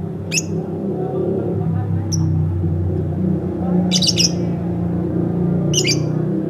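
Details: Pet lovebird kept at home, chattering with sharp high chirps and short screechy squawks at about 0.4, 2.1, 4 and 5.9 seconds over a steady low hum of background noise.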